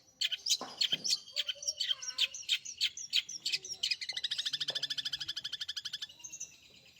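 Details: Cherished caged long-tailed shrike singing actively: mixed high chirps and slurred notes for several seconds, then a fast even rattle of rapid repeated notes before the song fades.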